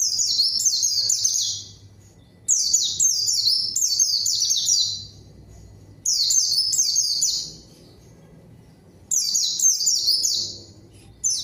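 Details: Repeated lure song of a white-eye intended to make a rival answer: four separate outbursts of rapid, high, sliding whistles, each lasting around two seconds with short quiet gaps between, faint low hum behind.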